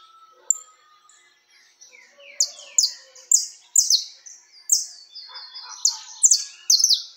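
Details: Peruvian canary singing in the diferenciado style: a quiet start of thin whistles and slides, then loud, very high, bright notes that sweep down, repeated roughly every half second.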